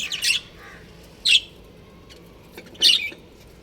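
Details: From a breeding pair of budgerigars, three loud, harsh, high chirps spaced over about three seconds, each brief and buzzy, separated by near silence.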